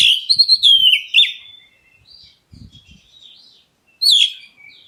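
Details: Black-breasted white-rumped shama calling out to make other birds answer: a descending whistled phrase with quick warbles, soft faint notes and low thumps in the pause, then a fresh sharp upward-sweeping whistle near four seconds.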